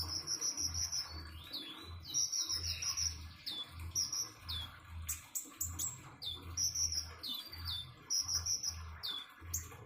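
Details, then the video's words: Common iora singing beside trickling water: high trilled phrases of rapid notes, each burst about half a second long, repeated with short pauses, mixed with sharp chirps and a steady low murmur underneath. "Kicauan burung "KONIN""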